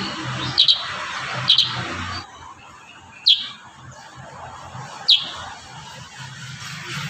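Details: Kurincang delivering a few piercing, high, downward-slurred chips, doubled early then single and spaced, over faint low background noise.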